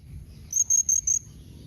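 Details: Blue-crowned hanging parrot making a 'nembak mbeset' call meant to draw answers from other parrots: four thin, sharp, very high whistled notes in quick, even succession.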